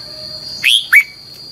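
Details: Red-whiskered bulbul song used as a decoy for training birds, in the long twisted double-voice style: two short, bright, slurred whistled notes about a quarter second apart, over a steady high electrical whine.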